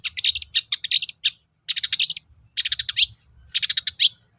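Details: Lively long-tailed shrike song meant to provoke other shrikes into replying, delivered as four quick clusters of rapid, high, rattling chirps, each burst about half a second long with brief pauses between.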